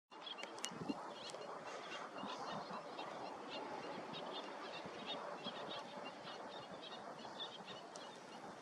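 Greater Flamingos call together as a flock: a steady, dense babble of nasal, goose-like honks and gabbling that overlap without a break.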